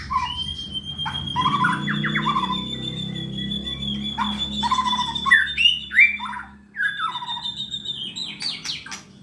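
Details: White-rumped shama in Indonesia, caged and singing strongly ahead of a contest: loud varied whistles, harsh squawky bursts and rich slurred phrases, with a steady high tone running behind.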